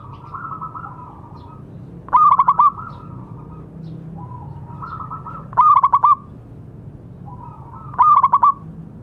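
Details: Local zebra dove in full song, used as tutor sound to encourage silent doves to sing: three loud phrases of four to five rapid, pulsed coos, roughly every three seconds, with soft, drawn-out cooing between.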